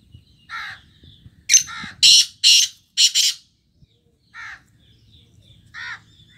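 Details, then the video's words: Black francolin, or kala teetar, uttering a rapid series of four loud, coarse, scratchy bursts in about two seconds, mixed with separate hoarse, caw-like notes from another bird before and after. "black francolin voice ll کالا تیتر ll kala teetar"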